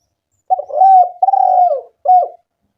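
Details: Spotted dove call used as a lure to make other doves call: a low, hoarse cooing phrase of two drawn-out notes followed by a shorter final coo, steady in pitch, in otherwise quiet surroundings.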